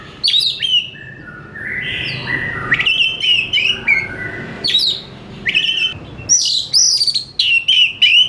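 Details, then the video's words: Vigorous oriental magpie-robin song: rapid sequences of loud descending whistles and scratchy buzzes, phrase after phrase with short gaps, a varied and continuous outpouring over soft background hum. "KACER BUNYI GACOR"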